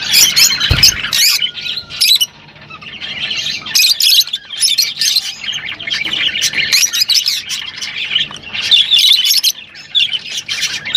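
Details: Rosy-faced and Fischer's lovebirds singing together to encourage mating: dense, overlapping high chirps and squeaky twitters in loud bursts, with brief quieter gaps and a short low thump near the start.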